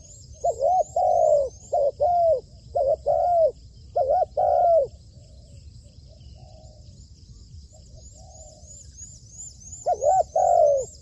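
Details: Decoy spotted dove under training on a roof calls in a run of low paired coos, short then long, several in a row, falls quiet for about five seconds, then resumes; faint high chirping insects or birds behind.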